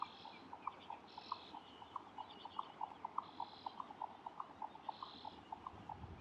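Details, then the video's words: Jack Snipe giving hollow, knocking notes about three times a second in a steady galloping rhythm, with fainter high twittering from other birds behind. "Jack Snipe"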